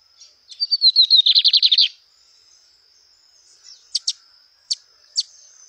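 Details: Lined seedeater singing in the wild: a quick series of buzzy, slightly falling notes forming a one-second trill, followed by a few isolated high sharp chips, with a continuous thin high hum behind.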